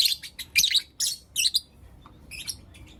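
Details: Blue Opaline and Lutino Opaline pet lovebirds chirping in the morning: a few loud, piercing, slurred squeaks in quick succession, then quieter faint chatter trailing off.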